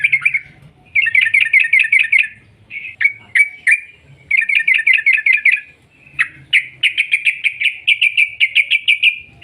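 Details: Sooty-headed bulbul in lively 'ropel panjang' song meant to provoke other birds into singing: fast strings of sharp repeated notes, short gaps, a few single chips, ending in a long even trill.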